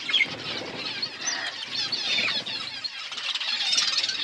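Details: Eating budgerigar flock produces an unbroken wash of high, squealing chatter with a few clearer whistled notes over soft rustling.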